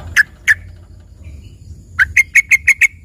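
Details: Yellow-vented bulbul singing filler song likened to a lively green leafbird: two spaced chips, a silent gap, then a rapid series of six clear, even, ringing notes.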